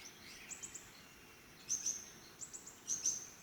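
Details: Black-naped monarch calling: short high chirps in quick bursts of two or three, recurring about every second and a half, over a quiet natural background.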